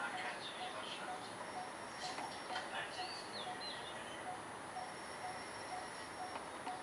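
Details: Coppersmith barbet at a home in the morning, giving soft, hollow 'tuk' notes about twice a second, half-buried in a steady hiss, with brief chirps from other birds.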